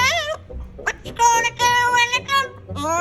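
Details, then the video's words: Parrot imitating human speech, saying "Bad boy" in a rich, buzzy, strongly harmonic voice, with a few short syllables followed by sustained vowel-like notes. "Parrots not only imitate sounds but also understand them."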